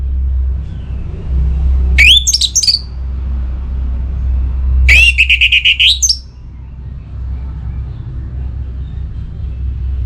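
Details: Caged orange-headed thrush singing in breeding mood to challenge a rival: two loud phrases three seconds apart, each a rising whistle into a quick string of bright repeated notes with a high tail, over a constant low rumble.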